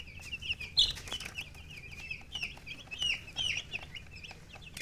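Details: Baby chicks chirping nonstop, rapid overlapping high peeps forming a continuous twittering chorus, with light tapping sounds underneath.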